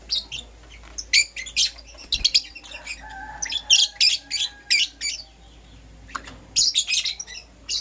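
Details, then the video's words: Green Personata and Yellow Pastel Pied lovebirds calling in the morning: steady run of loud, shrill, scratchy chirps spaced about a third of a second apart, a brief pause, then another dense cluster, over low steady hum. "Lovebird Chirping Sounds"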